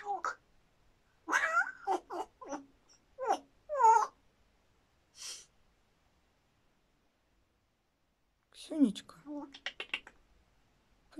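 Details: A female grey parrot imitates smacking kiss sounds, mixed with chattering, speech-like phrases, and a person talks to her between them.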